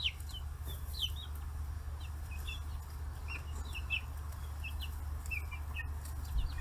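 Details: Free-range 40-day-old chicks crowded around fish heads in Kitahiroshima, Hiroshima, Japan; scattered thin, high chirps and peeps, some in quick pairs, over a loud continuous low hum and faint rustling.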